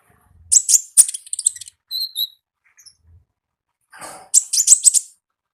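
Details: Olive-backed sunbird in the wild, singing gacor ngalas: bursts of very high, scratchy twittering, a pair of thin whistled notes, then another rapid chattering burst.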